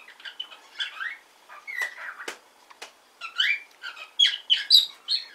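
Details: Hand-tame pet cockatiel in Fukuoka, Japan, practising talking: a string of short chirps, bent whistles and scratchy syllables in irregular bursts, with louder, quicker notes packed together toward the end.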